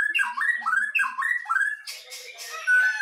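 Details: White-rumped shama duel pitting a Medan bird against a forest Nias bird: rapid looping whistled notes that dip and rise in a rolling series, ending in harsher noisy bursts and a clear, sustained whistle.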